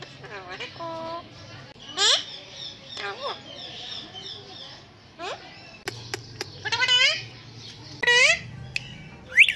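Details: Talking ringneck parrot imitating words and phrases: scattered rising harmonic squeaks and chattering syllables spread over the stretch, some quiet gaps, soft low hum beneath.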